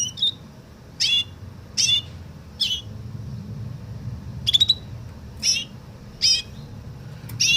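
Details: Canary singing in the Woodlark style called Tourli: short bright bursts of sound, each with a high whistled stroke, spaced about a second apart and repeated eight times, over a steady low hum.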